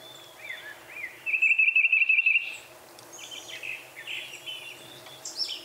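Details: Northern Cardinal: a fast, even trill of about a dozen notes lasting roughly one second in the middle, with scattered chirps and whistles from other birds before and after.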